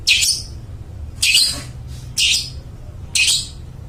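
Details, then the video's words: Loud, clear-voiced long-tailed shrike used to prompt mute shrikes to sing. Four harsh, grating, buzzy notes come about one second apart. "suara burung cendet gacor suara plong cocok buat pancingan burung cendet bisu"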